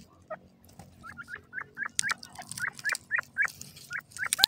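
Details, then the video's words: Golden teetar (partridge), natural calls: a run of short, rising, squeaky chirps repeated roughly every quarter second, growing louder toward the end, over a faint low hum. "golden teetar ke awaaz,partridge birds natural spking"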